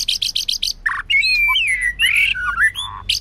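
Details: Singing female white-rumped shama, used in training to stimulate males: a quick run of five buzzy pulses, then a long ribbon of liquid warbled whistles mixed with harsh rasping notes.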